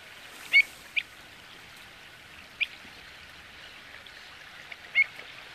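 Pied avocet giving four short, clear fluty notes at irregular intervals over about five seconds, over a soft steady hiss.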